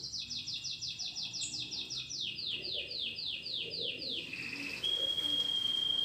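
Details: Domestic canary joining a recorded song played to train it: a fast run of slurred notes, about three per second, descending into a lower phrase, then a steady high metallic trill.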